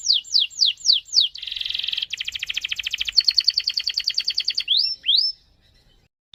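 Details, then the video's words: Canary in full song, a long roll meant to draw other canaries into singing: opens with five sweeping downslurred whistles, then a dense buzzy trill and a long fast rattling roll, ending with two rising whistles before silence. "Burung KENARI Gacor ngerol Panjang ini suaranya bikin cpt memancing KENARI Lain Rajin BUNYI"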